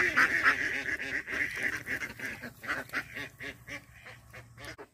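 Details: Several backyard Indian Runner ducks on a rural pond give a stream of coarse, nasal quacks, about three or four a second, loudest at the start and tapering off toward the end.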